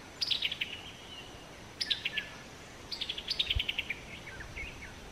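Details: Chuckling call notes of a Summer Tanager: bursts of rapid staccato notes stepping downward in pitch, three runs heard, the last longer, against a soft constant hiss and a few low thumps.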